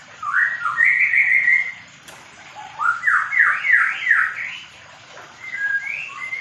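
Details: Medan white-rumped shama in a mini aviary while paired, pouring out loud fluty whistles: a rising series, a long level note, then a fast run of stepped upslurs, followed by softer phrases after a pause.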